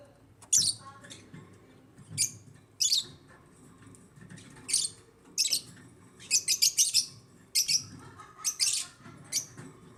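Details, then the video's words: Aviary African lovebirds producing sharp, high chirps roughly every second, sometimes in quick runs of three or four, over faint low background noise. "AFRICAN LOVEBIRDS CHIRPING SOUNDS"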